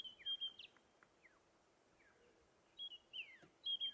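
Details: White-browed Scrub Robin, a skulker heard but unseen in a thicket on an October 2016 sunrise drive, gives clear, high whistled phrases of rising and falling slurred notes in short bursts; faint background chirps.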